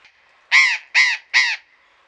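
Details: Burrowing parrots in a deanery garden in Pelhřimov, Czech Republic, on a February afternoon in 2018: three loud, harsh, rasping screeches in quick succession, each about a quarter second long, then quiet.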